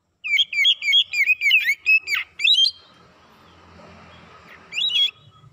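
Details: Oriental magpie-robin song played as a lure to provoke birds, a fast run of bright repeated whistled notes about 100 per minute, then a break over a soft low hum before one last short phrase.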